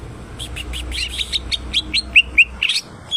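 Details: Greater green leafbird (cucak ijo) singing keenly: a quick, chattering run of bright chirped notes, rising in pitch and loudness, closing with sharper whistled slurs.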